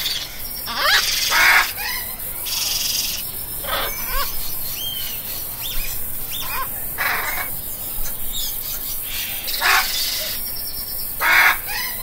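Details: Harsh parrot screeches repeated irregularly, roughly every second or two, with some short rising whistled notes between the loud raspy bursts and a constant hissing background.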